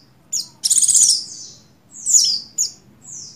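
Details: A buxtoni Oriental white-eye female in breeding condition calls for the male. A short high chirp, then a long buzzy rattle sliding down, then two quick falling notes and a thin whistle.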